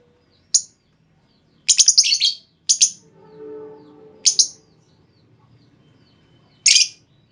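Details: Female lovebird lure call for prompting long trilling from other lovebirds: isolated sharp chips and a short harsh chatter, with a faint low hum and soft background rumble between the notes.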